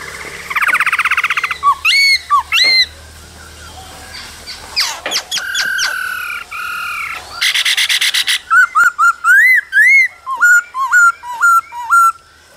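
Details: In the cold season a male laughingthrush sings and dances while a female calls. Harsh rattling bursts alternate with ringing whistles that swoop up and down. The clip ends in a rapid series of short, looping whistled notes.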